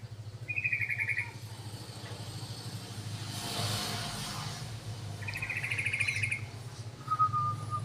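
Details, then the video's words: Yellow-vented bulbul calls played as a lure to attract other bulbuls: two short bursts of quick bright chattering notes several seconds apart and a brief thin whistle at the end, over constant low hum and passing traffic noise. "SUARA PANCINGAN BURUNG TRUCUKAN"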